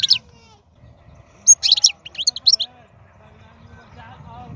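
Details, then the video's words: Wild-caught European goldfinch singing short bursts of high, sharp twittering notes, one at the start and a cluster of chirps in the middle, separated by quiet gaps with a low background murmur. "تغريد الحسون خلوي ممتاز"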